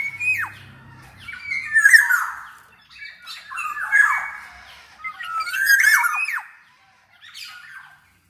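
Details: Black-naped oriole, a kepodang emas in full gacor voice, used as a master track to coax lazy orioles into song: a string of rasping squawks and falling whistles in close succession.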